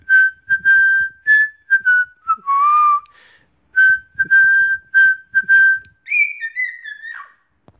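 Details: Pet black-headed caique performing the Mickey Mouse March as a whistled tune: a run of clear, pure notes, short and long, mostly level, closing with a higher phrase that slides downward.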